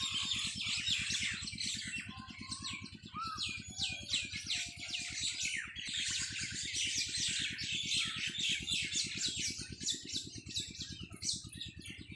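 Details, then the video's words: Evening on a farm with a flock of birds chirping and twittering without pause, bright high notes in dense bursts, a few lower whistles, and a constant low mechanical thudding in the background. "Birds singing in my farm at evning شام کے وقت پرندوں کی چہچہاٹ میرے فارم پے"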